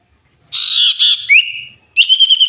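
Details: Common iora in a lure recording. Two rough, buzzy bursts lead into a long, clear whistle that rises slightly and is held. A second drawn-out whistle follows after a short gap.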